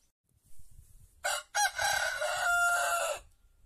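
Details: Crowing of a white rooster in an Andalusian village with olive groves: a rough burst, a short pause, then a long drawn-out crow with a steady ringing middle. Faint low rumbling lies underneath.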